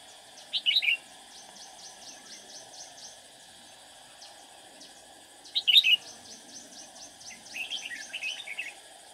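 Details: Trapping decoy, a red-whiskered bulbul that sings often, gives short warbled phrases at intervals of several seconds while insects tick rapidly and steadily in the background.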